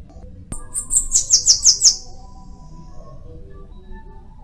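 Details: Bananaquit producing a short, accelerating series of about seven high, sibilant, buzzy notes, followed by a quiet background hum.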